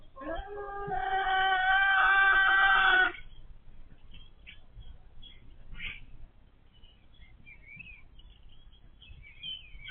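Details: Backyard hens that became very noisy once they started laying; one loud, sustained, rich, harmonic squawk lasts about two and a half seconds, followed by a stretch of faint, short chirps.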